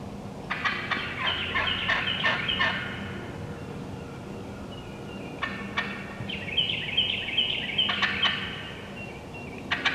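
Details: Wild turkey hens cutting and yelping: an opening burst of rapid, rasping yelps and clucks, a quieter pause, then another excited flurry of high squeaky yelps and sharp cutts.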